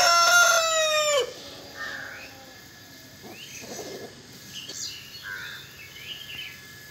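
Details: Rooster ends a crow with a loud harsh drawn-out note, then quieter chirps and short calls from other birds follow.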